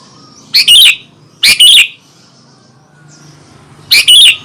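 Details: Sooty-headed bulbul singing to provoke rival bulbuls: three loud, short chattering bursts, each a quick two-part phrase, spaced about one and two seconds apart.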